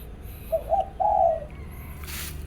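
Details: Morning zebra dove song from competing birds: two brief clipped notes and then a longer rolling coo, followed by a burst of hissing noise at the end.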